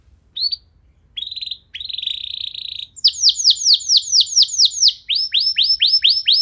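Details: Canary song used as a lure to set other canaries singing: a few short high notes, a dense buzzy trill, then rapid repeated downslurred whistles, about two per second, sweeping from high to middle pitch.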